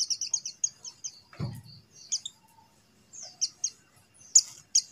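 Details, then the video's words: Buxtoni white-eye call for coaxing silent white-eyes into song: rapid strings of tiny, high, clipped chirps, a brief dull thump midway, then scattered sharp notes resuming. "suara CALL PLECI BUXTONI | untuk pancingan PLECI MACET BUNYI"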